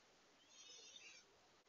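A gray catbird gives one brief, high, slightly nasal note lasting under a second, somewhat cat-like, over a quiet, faintly hissing background.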